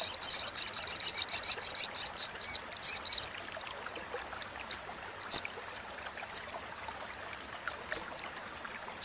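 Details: Crimson sunbird chattering, meant to coax a silent sunbird into calling: a rapid string of sharp high buzzy notes for about three seconds, then single spaced notes every second or so.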